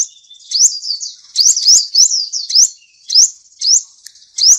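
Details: Seven-colour sunbird song: thin, high upward-sweeping notes in short bursts, separated by brief gaps, over a faint continuous high buzz. Clean recording.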